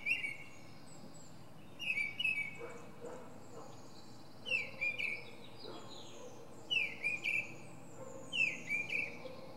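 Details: From a pine treetop, a northern mockingbird sings its varied repertoire. Paired, chattering phrases come in bursts every two to three seconds, with faint background noise between them.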